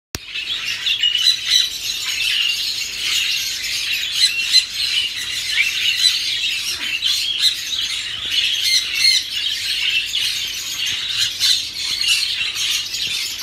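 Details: Cockatiels in Melbourne giving a steady stream of shrill, squawking calls that overlap into continuous chatter.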